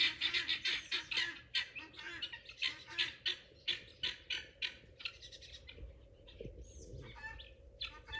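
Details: Several pearl guineafowl patrolling a garden for bugs, loud when excited, give harsh, grating squawks repeated several times a second in ragged bursts, with brief pauses and a few thinner notes near the end.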